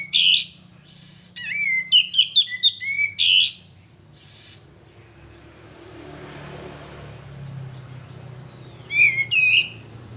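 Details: Sooty-headed bulbul male, recorded as lure audio: a fast phrase of descending whistles framed by buzzy bursts, a long pause with background hiss, then a brief whistled phrase resumes.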